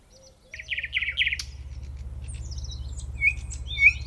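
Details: Nightingale song opening with fast buzzy repeated chirps, then high thin notes and sharp whistles, over a low steady hum.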